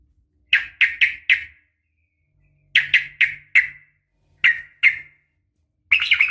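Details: Sooty-headed bulbul female in the 'uplik tarung' fighting style, calling to rouse males: clipped sharp chirps in groups of four, then four, then two, with wide gaps between, and a short chatter begins at the end.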